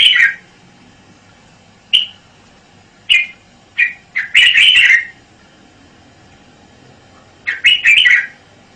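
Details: Red-whiskered bulbul singing: short bright whistled notes near the middle of its range, given singly at first, then a burst of quick warbled phrases around five seconds and another rich, jumbled phrase near the end, with quiet gaps between.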